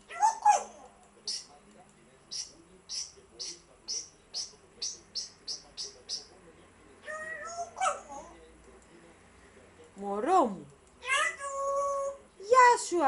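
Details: African grey parrot, indoors: a long run of about a dozen sharp evenly spaced clicks, then loud swooping whistles and harsh squawks toward the end.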